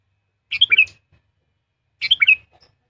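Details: Decoy-trained sooty-headed bulbul, kept as a tutor for lazy singers, sings two crisp warbled phrases, each about half a second of rapid rising and falling notes, a second and a half apart.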